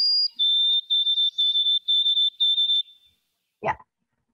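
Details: Indoors, a series of steady, high electronic beeps like a smoke alarm repeats about twice a second for three seconds, followed by a single sharp knock.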